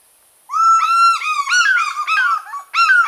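African fish eagle: a long ringing yelp, then a quick run of shorter, slurred, downward yelping notes. Loud and clear, with nothing else heard.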